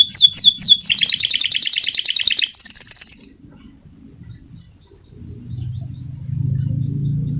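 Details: Canary of the fighter type in rolling song, recorded as a master for tutoring silent canaries; loud chattering trill and a thick buzzy roll, then a pure whistle, before the singing stops and low background hum remains.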